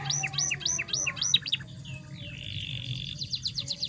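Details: Canary song for provoking a silent canary: hooked chirps repeated quickly, a gliding whistle into a steady buzzy trill, then fast rising notes, with low hum in the background.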